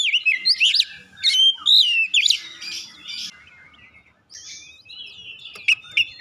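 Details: Oriental magpie-robin song, used as a lure to set other birds singing: loud, varied whistled phrases with sharp upsweeps and trills for about two seconds, a quieter stretch, then softer notes and a few clicks near the end.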